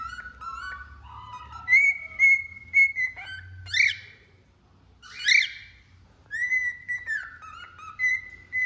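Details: Cockatiel singing indoors: clear whistled notes near one steady pitch, some held, others stepping down, broken by short harsh rising squawks, with brief pauses between phrases.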